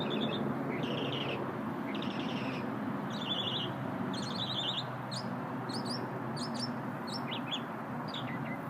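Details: An unknown small bird singing during a lunch break: buzzy stuttered trills at first, then a run of sharp high clipped notes, all above a continuous rushing background drone.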